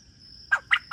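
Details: Farm quail giving a quick run of three short, harsh notes, evenly spaced about a fifth of a second apart, against a continuous high-pitched whine.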